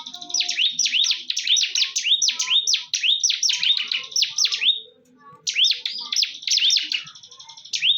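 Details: Fierce fight between bar-winged prinias (ciblek): a long run of high, piercing, rapidly repeated chirps with hooked rising notes, a brief silence near the five-second mark, then renewed chattering.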